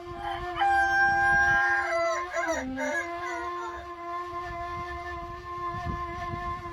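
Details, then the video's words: Kokok balenggek rooster from Solok, West Sumatra, Indonesia, giving the "Sigayuang luluah" crow type: a long, sustained, steady-pitched crow with a brief dip in pitch midway, over some background noise. "Ayam kukuak balenggek Jenis suara "Sigayuang luluah""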